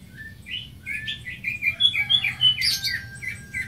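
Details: Greater green leafbird song: a quick jumble of short slurred whistles and squeaky chirps, steady in pace and roughly five notes a second, rising to a shrill rasp near the end.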